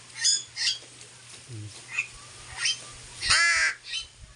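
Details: Pet mynah giving a series of harsh, scratchy squawks about half a second apart, then a longer grating, nasal call near the end, over a faint low hum.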